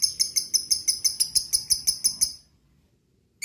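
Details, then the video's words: Lovebird call played to provoke lovebirds into song: a quick run of about fourteen shrill, high chirps, a second of silence, then the start of another harsh note. "Pancing EMOSI LABET SUPAYA bunyi,suwara pangilan burung lovebird,suara lobet"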